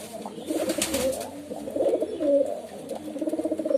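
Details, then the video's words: Several pigeons cooing at once in a continuous overlapping chorus of throaty, pulsing coos, sounding as if they are indoors. "Pigeon Sound || Different Different Pigeon Sound effect"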